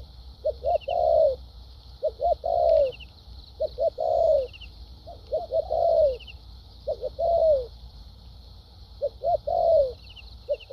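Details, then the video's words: Cooing of a kept spotted dove in the thúc gù, lèo dặm manner: short double hoots leading into a drawn-out falling coo, repeated about every two seconds, steady faint high ticking behind. "Đồng tốt tiếng bài bản.clip 870.nết chơi thúc gù,lèo dặm quá hay"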